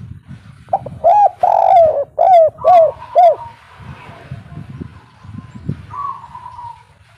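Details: Spotted dove in local kuk 3 style, a call meant as a lure to make birds call back. A brief soft note leads into five full, rounded coos in quick succession, then a fainter drawn-out note, with low murmuring noise underneath.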